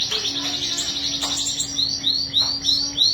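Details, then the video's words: Canary song with a fast high rolling trill that slows into separate rising whistled notes repeated about every third of a second, low hum in the background. "Kenari Gacor Ngerol Panjang"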